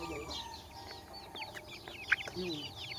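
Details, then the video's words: Chicks giving rapid, high-pitched falling chirps in quick succession, many small birds peeping at once against a faint steady background hiss. "Baby Chickens Chirping"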